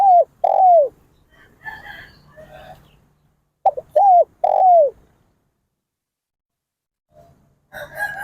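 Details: Spotted dove, described as a decoy bird, giving two cooing phrases of short notes and long falling coos, with a pause between them. Faint chatter from other birds is heard in the gaps.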